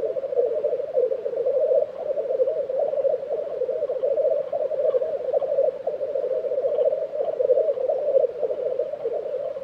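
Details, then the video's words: At a spring lek in Tiveden, Sweden, April 2023, many black grouse make one unbroken, pulsing bubbling drone for ten seconds, low and even, with nothing else clearly heard. "Black Grouse Lek - sound recording"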